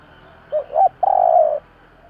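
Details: A single spotted dove phrase, two short hoots leading into a long, level, mellow coo, meant to provoke decoy birds; light background hiss.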